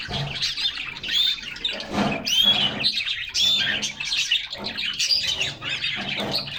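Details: Canaries playing and singing in their cage on a summer day, several birds: steady, busy high twittering and rolling trills with chirps, plus light pattering from hopping.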